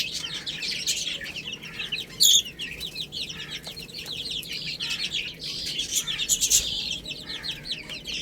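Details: Baby chickens eating spinach: a steady stream of thin, high, quickly falling peeps from several chicks, with a few louder sharp clicks.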